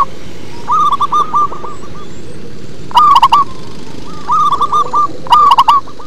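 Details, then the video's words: Local zebra dove performing its bassy song, four bursts of quick, bubbling cooing notes in uneven rhythm, some louder and closer than others, with soft background hum. "Perkutut lokal manggung ngebas"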